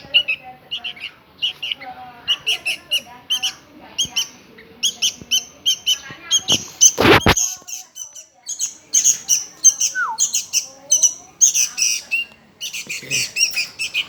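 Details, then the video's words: Hungry sooty-headed bulbul nestling begging: sustained run of harsh, high squeaky calls repeated several times a second, with a loud thump midway and a brief lower note. "Kelaparan Anak Burung Kutilang"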